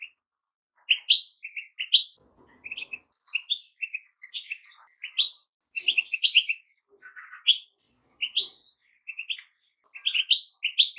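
Goldfinches singing a bright, rapid jumble of tinkling twitters and buzzy trills in quick bursts, high-pitched and liquid, with brief pauses between phrases.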